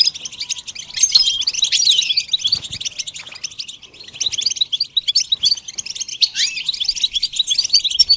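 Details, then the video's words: Eight seconds of goldfinch song for beginners training their birds: fast, tinkling twitters and brief trills in irregular bursts, with one downward-sweeping note near the end. "training the goldfinch to sing"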